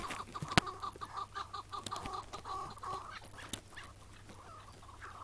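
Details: Chukar partridge, Iraqi type, calling on a May 2017 morning while being trapped, then released; quick chain of clipped clucking notes for about three seconds, fading out, broken by sharp clicks and knocks.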